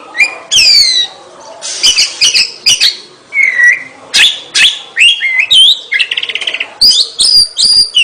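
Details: Energetic song of an Oriental magpie-robin: varied phrases of downslurred whistles, harsh scratchy bursts, a low slurred whistle, a fast rattling trill around the sixth second, then high ringing notes.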